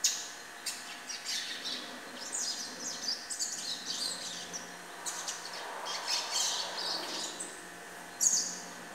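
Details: A young, still brown-plumaged double-collared seedeater sings a rambling, high run of quick chirps and twittery notes without a set phrase, over a steady low electrical hum.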